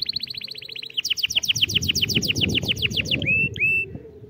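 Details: Canary singing a tutoring song for young birds: a fast high trill runs into a long series of rapid descending chirps, then two clear sustained whistles, with faint low background rumble.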